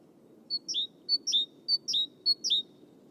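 Great Tit singing a bright, high two-part phrase, a ringing 'tea-cher' note pair, repeated four times at a quick steady pace over a low background rumble.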